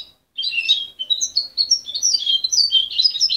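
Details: Juvenile goldfinch hybrid, parent-raised and taken from its mother at 23 days, sings a dense, fast run of high tinkling twitters and bright chirps that keeps building over a few seconds.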